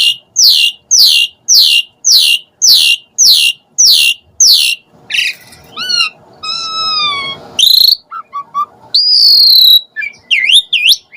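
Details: Asian pied starling sound meant to lure other starlings into singing: a run of about nine harsh, falling squawks at a steady pace, then clear whistled notes, a rising slur and varied chattering phrases.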